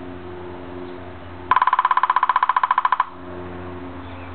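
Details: A rapid burst of electronic beeping tones plays over a steady low hum in a small indoor room.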